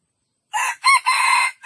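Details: Junglefowl crowing: a harsh opening note, a short rising-and-falling hitch, then a long steady raspy stretch, cut off as another crow begins at the end.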